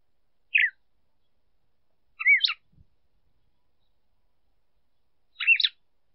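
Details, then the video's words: Clean recording of a female red-cowled cardinal singing to excite a male, with three brief whistled phrases separated by long pauses, each made of quick rising and falling notes, with a soft thump in between. "Fêmea de galo-de-campina cantando para esquentar macho"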